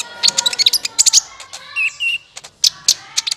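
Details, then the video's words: Sunbird calls used as a trapping lure: rapid, sharp, high chirps in quick bursts, a short buzzy phrase in the middle, then more clipped high notes. "SUARA PIKAT BURUNG KOLIBRI NINJA"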